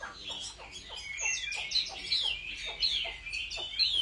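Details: Home-trained Chinese hwamei in competitive singing: a quieter, busy warbled song of quick slurred notes, over a steady run of dry clicking taps.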